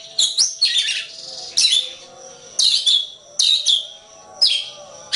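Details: Oriental magpie-robin recorded as a tutor for songbird training: harsh, rich chattering bursts repeated about once a second, with a faint low hum underneath.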